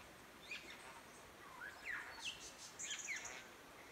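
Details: Satin bowerbird calling up in the trees along a creek walk on a rural property in Victoria, Australia; short, thin chirps and sharply downslurred whistles in a loose series over three seconds, faint against steady background hiss.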